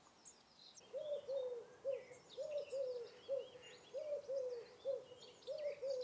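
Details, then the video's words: Eurasian Collared Dove, a UK garden bird, gives soft, low three-note coos, repeated about every one and a half seconds, with faint chirps of other small birds in the background. "Collared Dove (Eurasian Collared Dove)"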